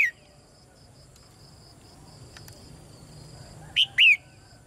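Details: Red-whiskered bulbul chirping call meant to stimulate male singing; a clipped note opens, then after a quiet stretch with a faint steady high hum, a sharp two-note slurred phrase sounds near the end.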